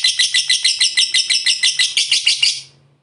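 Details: Lovebird's long ngekek chatter, used as a lure to set other lovebirds singing: about thirteen quick shrill, rasping pulses in rhythm, then fading away at the end.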